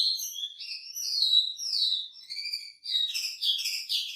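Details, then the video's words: Wambi singing energetically, a rich varied performance prepared as a training recording for other songbirds; clear whistled phrases, some sliding and some warbled, shifting quickly between pitches, ending in a denser twittering burst, with a silent background. "Burung wambi gacor isian mewah"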